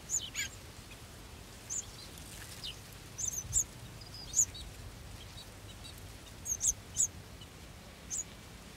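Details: Baby golden sparrows in anticipation of feeding make thin, very high peeping chirps, singly or in quick pairs, scattered at irregular intervals over a quiet background.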